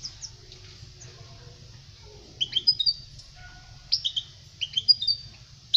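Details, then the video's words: European goldfinch song for teaching young birds, sparse here: a few short clusters of sharp high twittering notes separated by quiet gaps of a second or more. "Chant chardonneret pour les jeuns لتعليم صغار طائر الحسون"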